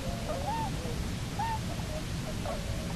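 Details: Bermuda petrel (cahow) pair returned to its nesting island, Nonsuch Island, Bermuda, 29 October 2018: short arched moaning notes, three spaced about a second apart, over a steady low roar of wind and sea.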